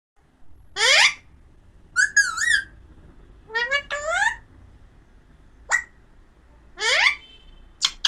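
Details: Pahadi parrot, an Alexandrine parakeet, making harsh screeches and warbled, wavering whistles in separate bursts, with quiet gaps between them.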